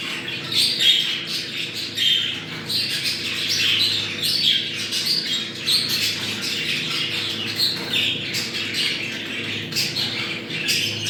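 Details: Several budgerigars chattering to trigger breeding readiness, continuous scratchy warbles and squawks, steady background hum throughout.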